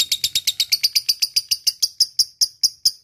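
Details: Lovebird calling a rival with ngekek chatter: a rapid, harsh, high rattle that slows into separate sharp ticking notes, spaced wider apart toward the end.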